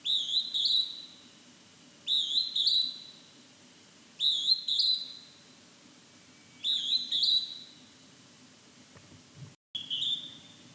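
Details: In fog, a Hodgson's hawk-cuckoo gives a series of five high, strident two-syllable whistles about every two seconds, each phrase sliding upward. A brief dropout occurs near the end.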